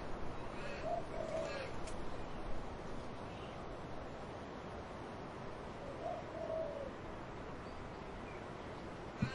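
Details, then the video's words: A dove coos amid wind in trees: two short low cooing phrases, near the start and again after six seconds, over steady rushing wind noise. "Dove cooing wind in trees"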